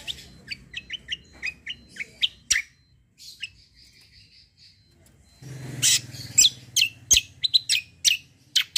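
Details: Fighter-type white-eye with 'kombo' song suited for tutoring other birds: quick high chirps repeated about twice a second, then a string of soft pure whistled notes, then dense sharp chirps and trills with low hum behind.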